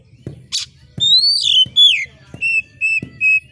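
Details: Sharp screeching song of an oriental magpie-robin, used to stir up contest birds at the hanging pole: a hiss, then long descending whistles and three short level notes, with soft regular low ticks behind.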